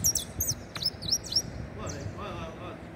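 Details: Saffron finch singing a quick burst of sharp, high chirps and slurred down-sweeping notes over about a second and a half, followed by fainter twittering with a soft voice and low background noise.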